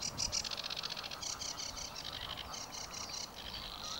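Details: Savi's warbler singing in Sweden: reeling, a fast, dry, insect-like buzzing trill that runs on without a break, with a faint distant whistle from another bird.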